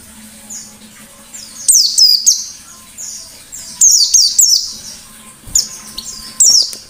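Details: White-eye giving ngalas-style song to prompt other birds: spaced bursts of piercing high, falling chirps, two or three notes per group, with quieter fainter notes between and a soft steady hum.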